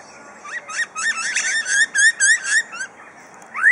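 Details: Superb lyrebird at Adelaide Zoo in Australia, a famous mimic of drills, saws, hammers and birds: a quick series of about a dozen bright looping whistled notes, ending in a loud rising whistle.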